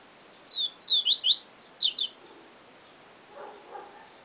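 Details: Yellow-bellied seedeater, papa-capim 'professor' bird, sings a Siu Siu style phrase of quick, bright, high-pitched slurred notes lasting about one and a half seconds, followed by quiet with two soft, lower-pitched sounds in the background.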